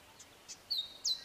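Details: Male grey sunbird singing his short, sharp phrased song: very high, thin notes, two short falling slurs a third of a second apart, after a couple of faint soft pips.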